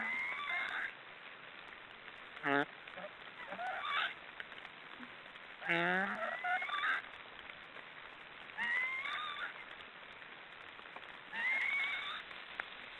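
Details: Several rasping, wheezy snoring calls from black storks arrive at irregular gaps, some brief and clipped, others drawn out with a faint whistled edge, all set against steady low background hiss.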